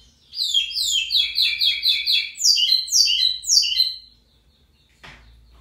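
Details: Singing lined seedeater, locally called pico plat: rapid chattering string of high buzzy slurred notes for about four seconds, ending abruptly, followed by quiet and a single click.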